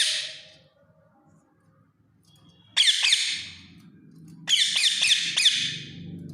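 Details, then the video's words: Indian ringneck parakeet giving loud, harsh screeching squawks: a short burst near the start of the calling, then after a pause a rapid run of four or five grating screeches, over a faint low rumble of background noise. "Indian ringneck parrot sound"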